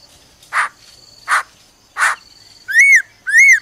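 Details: Laughingthrush female making "ro ro" calls to excite a male: three harsh, noisy rasps spaced about three quarters of a second apart, followed by two clear arched whistled notes rising and falling.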